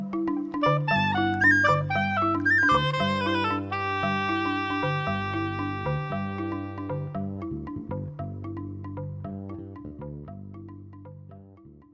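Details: Bright mallet-percussion music with marimba-like notes over a steady low bass line, and no animal sound at all.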